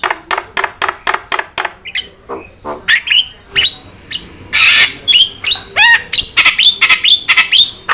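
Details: Starling (jalak) vocal recording for provoking and tutoring songbirds, Indonesia: a fast string of sharp clicks about twice per second, then mixed whistles, a loud harsh burst and rapid falling whistled chips.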